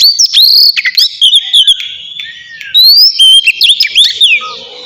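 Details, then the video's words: Relaxed ngeplong song of an oriental magpie-robin (kacer), played to stir silent kacer into song: bright, high whistled notes, quick up-slurs and trills in a rapid, unbroken stream with a brief softer pause midway. "suara kacer ngeplong santai cocok buat mancing kacer malas bunyi"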